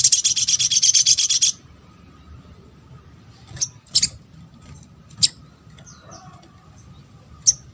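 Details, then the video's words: Little spiderhunter calling as a lure to make other spiderhunters respond and sing: a dense, high, rapid chattering burst for about a second and a half, then scattered sharp high single notes over faint low hum. "MUDAH BIKIN SOGON ( sogok ontong ) LAIN BUNYI GAMPANG RESPON"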